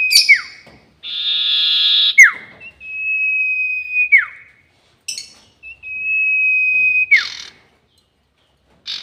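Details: Sirtu bird in the long 'nyiul panjang' whistle style, used as a lure for trapping birds: steady, pure whistles held for about a second, each ending in a sharp downward slur, alternating with buzzy, hissing bursts and short gaps.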